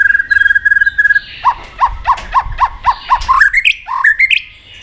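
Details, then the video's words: White-rumped shama singing competitively in a cage: a short steady chatter, then about ten evenly spaced down-slurred notes, ending in rising whistled phrases. "kích chòe lửa hót đấu đập đuôi căng lửa"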